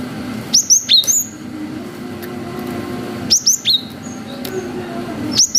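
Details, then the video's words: Cinereous tit singing long 'wucit' phrases as a lure for young birds; two phrases of four high, sharply falling whistles about three seconds apart, a third starting at the end, over low background hum. "GELATIK BATU GACOR WUCIT PANJANG"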